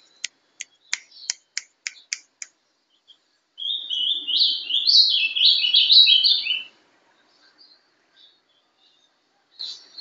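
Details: Sharp clicks in a quick series open the recording. A captive young Ultramarine grosbeak, ringed and hatched 11/12/2012, then gives a Paraná-style sobe e desce phrase of about three seconds, with bright whistled notes rising and falling, and a faint chip closes.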